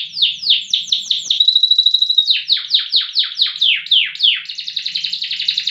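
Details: Canary performing loper song, long and loud. Descending slurred notes are interrupted by a pure, sustained whistle. More repeated swoops follow, then a rapid, buzzing trill.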